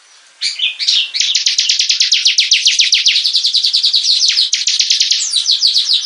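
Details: Bar-winged prinia singing vigorously, a recording meant for training other birds: after a brief opening warble, a long run of sharp, high, slightly downslurred chirps follows at about four per second, steady and loud throughout.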